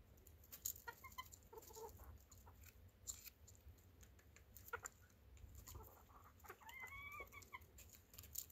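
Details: Chicken giving scattered soft clucks early on, then a few longer, slightly rising harmonic notes around the seventh second, with clicks and a low steady hum in the background.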